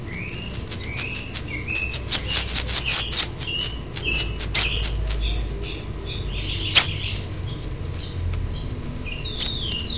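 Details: House finch nestlings at a nest on 6/10/07, now as big as their parents, beg during feeding with a rapid stream of very high, thin cheeps for about five seconds, then softer, lower slurred notes as wings flap and one nears fledging.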